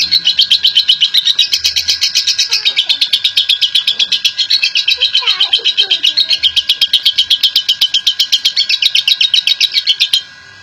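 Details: Champion lovebird delivering extended ngekek chattering song: a long unbroken train of fast, shrill notes at about four per second, with faint low sounds beneath, ending abruptly.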